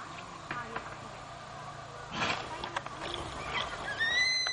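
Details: Crested serpent eagle, one of a calling pair, gives a brief, clear, high whistled call rising at the end, after rustling and background noise; likely breeding-season duetting, 18/12/10, outside Kulgi nature camp near Dandeli, Uttara Kannada, Karnataka.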